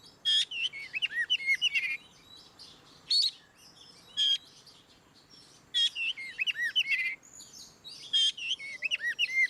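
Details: Ngeplong song of an Oriental magpie-robin, used to get reluctant birds singing: repeated phrases opening with a harsh burst followed by looping whistled notes, recurring about every two to three seconds.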